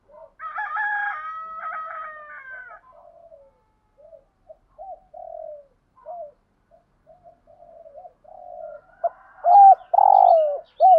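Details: Spotted dove coos played to stimulate other doves. A harsh, layered sound opens, scattered soft short coos follow, then loud looping and purring coos close the passage.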